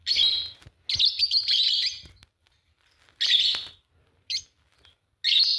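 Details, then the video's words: A green pair of Fischer's lovebirds gives drawn-out, harsh, high screechy chirps in several bursts, separated by short silences, with one brief sharp note before the last burst. "Lovebird singing and chirping sound, green fischer pair"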